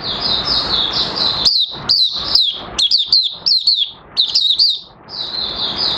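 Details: Kept Oriental white-eye (Mata Puteh Raja) opening its song on 30 August 2022, with new white feathers almost fully coloured. High warbling shifts into rapid, sharp chirps in quick groups, set against a steady background hiss.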